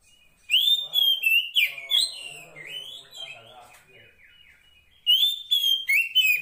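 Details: Wild female Oriental magpie-robin calling the male: bright, slurred whistles and sweeping notes delivered in a rapid burst, then a quieter stretch of soft scratchy twitters before another loud whistled phrase resumes.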